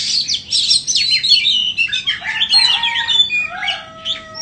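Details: An energetic white-rumped shama song of dense cascading whistles and rapid down-slurred notes, with a few lower level whistles and clear separate notes toward the end.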